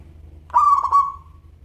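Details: One cooing phrase from a local zebra dove in crystal-voice style. A sudden bright note breaks into two or three quick stutters, then trails off into a long fading tone, with a faint low hum underneath.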